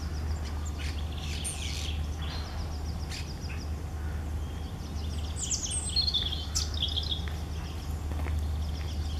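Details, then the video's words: Singing European robin: high, scratchy, jumbled warbles and brief thin trills come in bursts, with short pauses between, against a steady low droning background. "Rotkehlchen singt - Gesang Robin singing"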